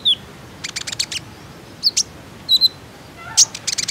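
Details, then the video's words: Common iora lure sound to prompt untrained captive ioras to sing: a thin whistle, a burst of fast high chirps, a few separate sharp notes and a final quick cluster. "KONIN IJOAN ANDA PASTI IKUTAN BUNYI, PANCINGAN TERCEPAT JADIKAN KONIN BAHAN RAJIN BUNYI"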